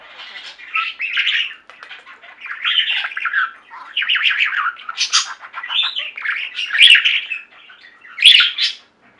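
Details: Several caged budgerigars singing, continuous scratchy chattering warble with louder squeaky chirps every few seconds and a short pause near the end.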